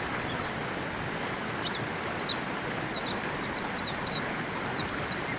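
A white-eye sings a fast, high, thin twittering of quick slurred notes that runs on without pause, over a steady rushing background like water or wind.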